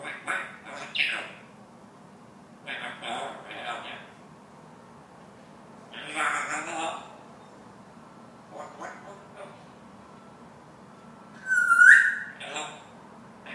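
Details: African grey parrot talking: short speech-like phrases come in separate bursts across the recording, and a clear, bright rising whistle follows near the end over a low steady background hum.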